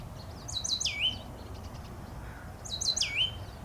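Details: Oak titmouse (Baeolophus inornatus) song, a bird of dry oak woods in California: two phrases about two seconds apart, each a quick run of thin, high notes ending in a lower, slurred whistle, over soft hiss.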